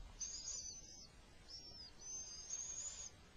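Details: Little owl gives thin, high, wheezy squeals in three drawn-out half-second bursts over a faint low rumble, as the male manages to bring food during an attack.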